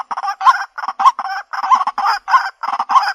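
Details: Lure recording of a white-breasted waterhen from 2021, made on a Xiaomi Redmi Note 8 phone: raspy, throaty croaks with hooked accents, delivered in quick, slightly irregular pairs and runs.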